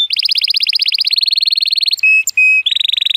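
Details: Male Timbrado Español canary, born 2018 and rated 83 points, in powerful training song on a sunny day: a rapid chattering roll of pulsed notes, two long pure whistles, then a fast high trill.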